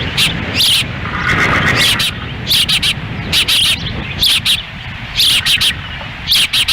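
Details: A female osprey feeds chicks at the nest in Lolo, Montana, on a windy June 10, 2017, the male standing by; bright piping chirps come in pairs and short groups, with gusty wind noise throughout.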